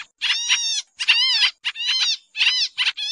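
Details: Pied triller lure call used for bird trapping, a busy, noisy version: harsh, nasal, buzzy notes rich in overtones, some arched or dipping in pitch, given in about four bursts over three seconds with short gaps.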